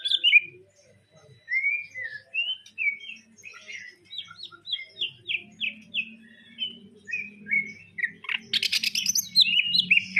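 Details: Greater green leafbird delivering song laced with sparrow-like phrases: a steady series of short slurred whistled notes, roughly two per second, ending in a burst of harsh rapid chatter, over a low droning hum.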